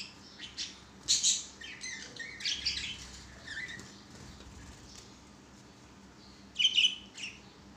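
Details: Budgerigars, kept as pets, playing on a swing: scattered high chirps and short warbled bursts with quiet gaps, a louder chattering flurry near the end.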